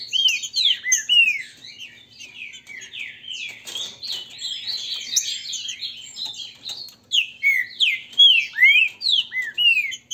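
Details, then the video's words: Captive green-winged saltators of the Grego mole and boiadeiro song types in a warm-up song duel trade rich whistled phrases, looping and slurred. They overlap almost without pause and grow louder in bursts toward the end. "Disputa para ESQUENTAR TRINCA FERRO (Grego mole x boiadeiro)"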